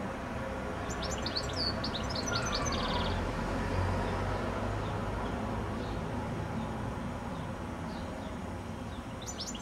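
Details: Goldfinch perched high on a telephone wire in the evening before sunset: one fast phrase of thin high chirps and a brief buzzy trill early on, then mostly quiet, with a low rumble running underneath.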